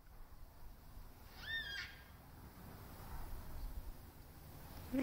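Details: A black cockatoo calling from a tree across the road gives a single drawn, slightly rising and falling wail lasting about half a second; the observer wonders if it is lost and calling. Steady wind-like hiss, brief low sound at end.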